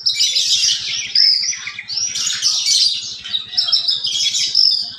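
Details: Lark, a kept bird, in vigorous song said to imitate sparrows and canaries: dense, very high twittering phrases with trills and buzzy flourishes, delivered in bursts of about a second and a half, over a faint low rhythmic ticking.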